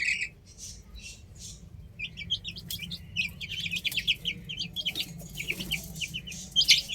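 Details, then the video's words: Chicks playing on a roof give high, short peeping chirps, first a few spaced notes, then a quick run of overlapping cheeps from several birds, over a steady low hum. "Adorable Chicks Chirping Sounds"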